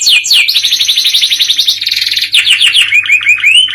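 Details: Energetic canary song, modern cengkok variation, made of a continuous dense warbling trill, a pulsing buzzy stretch, then several quick rising whistled notes at the close.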